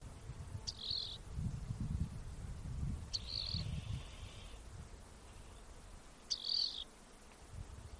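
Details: Rock wren (Salpinctes obsoletus) call: three short, buzzy high trills, each opening with a sharp tick, spaced about three seconds apart over a low rumble of wind.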